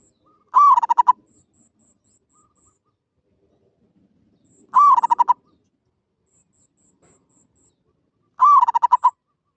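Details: Three katok banir calls from a zebra dove, each a slurred coo breaking into a rapid run of clipped, evenly pitched notes, repeated roughly every four seconds, with a faint thin high tone between phrases.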